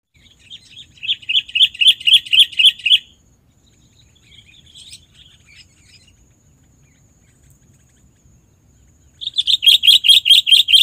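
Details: Sooty-headed bulbul lure sound: two bursts of rapid, bright, sharp chirps, about eight notes each, separated by a quiet gap with a few faint chips.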